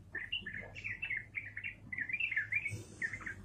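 Yellow-vented bulbul giving a rapid, bubbly run of chirping, warbled notes, mid-high in pitch and almost unbroken, with a low hum and a brief hiss behind.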